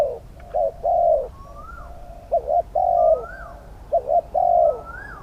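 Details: Spotted dove cooing as a decoy to lure wild doves. Three phrases of two quick notes and a long, slightly falling coo, each followed by a softer rising-then-falling whistled note from another bird.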